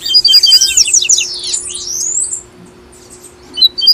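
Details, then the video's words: Tui tui song from a double-collared seedeater (papa-capim), to encourage a caged bird to sing: fast bright chips and whistles, then a long rising-falling swept note, a short quiet gap and a few sharp notes at the end. "PAPA CAPIM TUI TUI"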